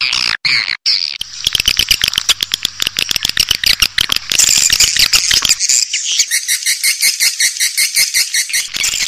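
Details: Swiftlet lure call from an older recording used in swiftlet farming: dense, fast trains of sharp clicks mixed with high buzzy chirps, starting with a few separate chirps and then becoming a rapid, continuous rattle.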